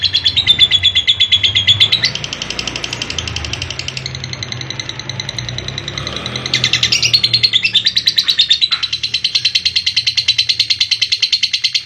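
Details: Extended lovebird ngekek, a chattering trill meant to coax sluggish young and adult birds into singing: long bursts of rapid high repeated notes broken by short pauses and changes in tone, resuming strongly in the final seconds.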